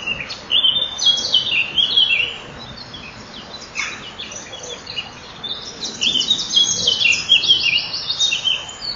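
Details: A common kingfisher pair meets in the nest tunnel on 12 May 2013 at 07:57 before the male feeds the young and then broods them. Two loud bursts of rapid, buzzy, high chattering are separated by a quieter pause.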